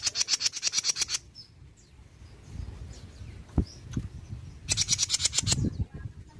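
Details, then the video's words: Mini jenggot bird from Indonesia, a lure recording used to provoke other birds to answer: a burst of rapid harsh buzzy ticks, then a quiet gap with low thumps, then another fast dry chattering run. "PANCINGAN JENGGOT MINI BAHAN LANGSUNG NYAUT || JENGGOT MINI GACOR"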